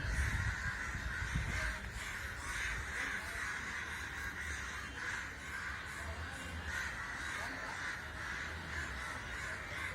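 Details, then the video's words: Crows massing in a group for unknown reasons; dozens of rough caws pile over one another in a thick, rapid chorus, with a louder low thump at the start and faint rumble throughout. "Why Crow's gather, making sounds"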